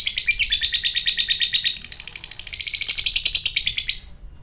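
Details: Lovebird ngekek: a rattling, high-pitched chatter that softens briefly near the middle, surges again, then cuts off shortly before the end.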